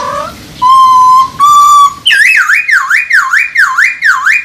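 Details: Masked laughingthrush mating call, meant to raise breeding drive: two long steady whistled notes, then a run of six loud V-shaped whistles that dip and rise, repeated about every half second.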